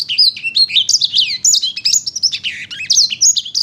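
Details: Sanger paud singing vigorously: a fast, unbroken stream of high whistled notes, sharp upward and downward sweeps and short trills, with faint low background hum.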